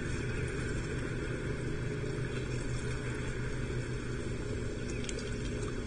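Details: A steady low engine-like rumble with a constant hiss continues throughout, with a couple of faint clicks near the end and no animal calls.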